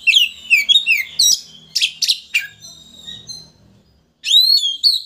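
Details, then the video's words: Oriental magpie-robin song used to provoke a rival into opening its tail: rapid high whistled phrases with slurred, sweeping notes and sharp bursts, a short pause, then a loud rising whistle. "Pancingan Kacer Gacor Untuk Memancing Emosi Lawan Agar Mau Buka Ekor"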